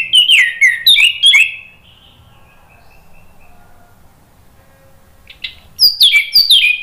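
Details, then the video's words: Orange-headed thrush song meant to provoke rivals into answering: sharp, rapid descending whistled slurs for about a second and a half, a long quiet stretch with faint thin notes, then a renewed burst of bright sliding phrases. "PANCINGAN ANIS MERAH NGEPLONG MEMANCING lawan jadi NYAUT BUNYI GACOR"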